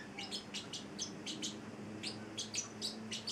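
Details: Eight-week-old male Celestial parrotlet, a pet bird, producing rapid sharp high chirps roughly every quarter second over a soft low background hum.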